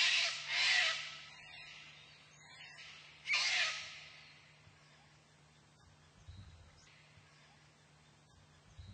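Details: Wild sulphur-crested cockatoos (Cacatua galerita) foraging and feeding in Australia give harsh, raspy screeches: a double burst, two short ones, then a loud final screech, before quieter background sounds and a steady low hum.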